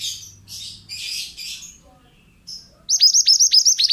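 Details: Song of a pied bushchat, used to train other birds: several harsh, scratchy buzzy bursts, a pause, then a rapid string of loud, piercing high notes repeated about every fifth of a second.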